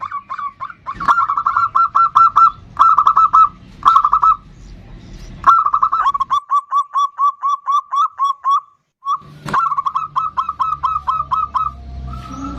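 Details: Bodronoyo perkutut (zebra dove) singing actively as a lure for other birds: repeated phrases of fast, even cooing notes, some clusters short and some long trilling runs, with a few knocks and brief gaps.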